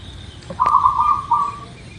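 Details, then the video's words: Single rolling, trilled coo from a local zebra dove, preceded by a sharp click, over a hissing background, from a recording meant to prompt caged doves to sing. "Suara Perkutut Lokal | Pasti Gacor | Pancingan Agar Cepat Bunyi"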